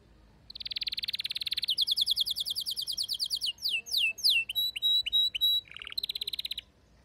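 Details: Domestic canary, a female's mating call alongside a male's song: a long buzzy note, then a fast rattling trill, sharp downslurred whistles, clipped high pips and a final buzzy burst, all bright and high.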